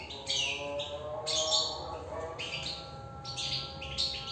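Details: Caged European goldfinch in full song: rapid, bright twittering bursts of chirps and trills, one after another, with a low steady tonal hum underneath.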